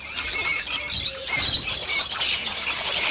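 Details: Lovebirds at a breeding farm holding 800 breeding pairs: a dense wall of shrill, high squeaky chatter from many birds at once, continuous and overlapping with no pauses.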